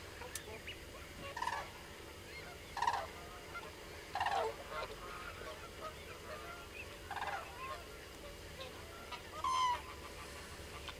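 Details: Many common cranes calling: five loud bursts of harsh, rolling trumpeting calls spaced a few seconds apart across eleven seconds, over a steady low background hiss.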